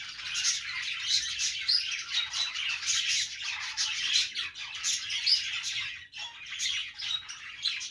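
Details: Happy chattering of several pet budgerigars, an Australian parrot, in the morning: continuous high twittering and warbling mixed with harsh squawks and occasional thin whistled notes, many birds calling at once.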